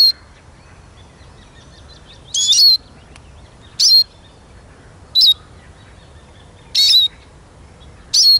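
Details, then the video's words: Eurasian siskin giving short, squeaky, high notes, repeated at uneven intervals of one to two seconds, six bursts in all against a quiet background. "Как поет чиж"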